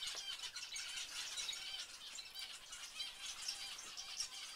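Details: Finches kept in a home aviary and birdroom sing together in a dense chorus of high, rapid chirps and twitters that overlap continuously, with no single voice standing out.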